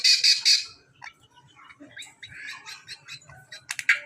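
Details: Hand-reared Greater Green Leafbird recorded as a master song for training other birds: three loud harsh squawking notes open, then a jumble of quieter varied chirps and short buzzy phrases, ending in sharp loud squawks.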